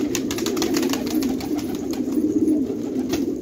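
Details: Many jangi tumbler pigeons cooing together at Khanabad, an Afghan village; steady throaty rolling coos blend into one low hum, broken by frequent short clicks, possibly wing claps or footsteps.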